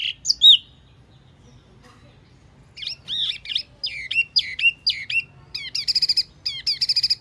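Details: Wambi mini lure sound: a couple of sharp high notes, a quiet gap, then twisting chirps building into rapid buzzy stuttered bursts.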